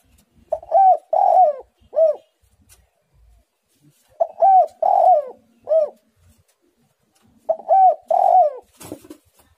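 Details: Spotted dove in full, lively song with a tight, pressing delivery: phrases of three to four mellow, rounded coos, the middle one drawn out, repeated about every three to four seconds in a quiet indoor setting.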